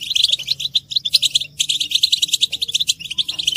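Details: European goldfinches in group twittering meant to stimulate males to sing: dense, rapid high chirps and buzzy notes in quick bursts, broken by a brief pause at mid-point, over a faint low hum.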